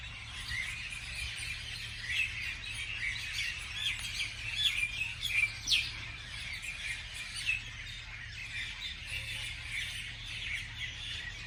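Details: Morning birdsong from many birds: scattered sharp chirps and short whistled phrases above a constant chattering background, with a low steady hum throughout.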